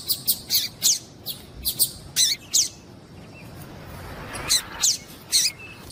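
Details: A female double-collared seedeater gives a run of crisp, high chirps roughly every third of a second, then a pause and three more spaced notes; the piado is meant to get the male singing.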